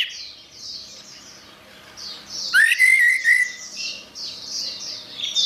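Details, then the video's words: Orange-headed thrush in gacor song. A single strong rising whistle with buzzy overtones stands out midway, surrounded by quieter, steady high-pitched twittering. "Suara Burung Anis Merah | Gacor"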